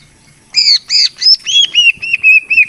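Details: Greater green leafbird lure call for birds slow to sing: a few loud arched squawky notes followed by a quicker string of short whistled notes.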